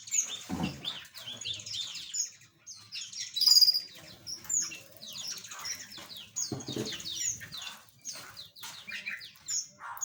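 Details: Small aviary birds keep up a continuous high twittering, overlapping downslurred chirps and brief whistles, broken by a couple of low thumps.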